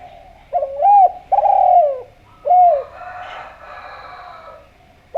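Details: Spotted dove giving a melodious lure call to draw replies from other doves: a clipped rising coo, a long rolling coo, then another short coo, followed by soft background murmur and a new phrase starting.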